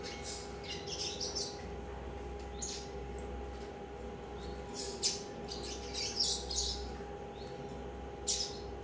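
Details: A three-month-old captive-bred Double-collared seedeater (Sporophila caerulescens) chick gives scattered bursts of high, scratchy, buzzy juvenile song in uneven runs over a steady electrical hum.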